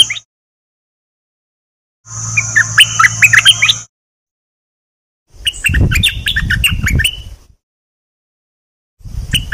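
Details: Decoy bulbuls, three birds kept as callers, singing in two bursts of bright, jumbled whistled notes with a steady low hum and a high constant tone behind them, separated by silence.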